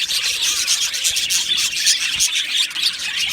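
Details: Budgies in an aviary colony produce a thick, buzzy chorus of fast chirps and twittering, many voices overlapping into one continuous high chatter.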